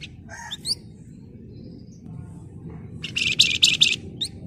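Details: Agitated Flamboyan in full song, the style called ngebren and nyerecet: a few quick, upslurred whistled notes, a pause, then a close-packed run of harsh, high chattering notes. Steady low rumble underneath.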